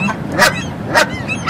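Canada Goose giving three loud, nasal honks about half a second apart, each a brief harsh blare rich in overtones.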